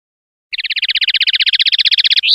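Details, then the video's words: Common linnet, clean-style 'pardillo limpio' song, 2021/2022: after a pause, a fast steady trill of roughly thirty sharp repeated notes, slightly rising, ending in a clipped higher note; no other sounds. "PARDILLO LIMPIO"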